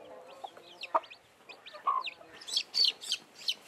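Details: Chicks just hatched under a blackish hen: scattered soft clucks and thin cheeps first, then a burst of loud, shrill, buzzy peeps toward the end.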